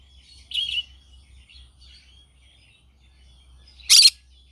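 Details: A green-cheeked conure in the morning: one mid-pitched scratchy squawk, a quiet stretch with faint twitters, then a single loud harsh screech, over a soft low hum.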